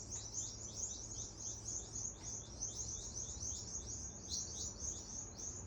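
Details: Birds chirping loudly in Adelaide, Australia, while a rat chases them: dense, rapid high chirps repeated about three times a second, overlapping from several birds, over a low steady background rumble.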